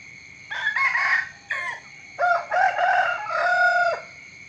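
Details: Roosters crowing at dawn, several rough, harmonic bursts in quick succession, some short and clipped, the final one long and level before dropping off, with a thin steady high tone behind.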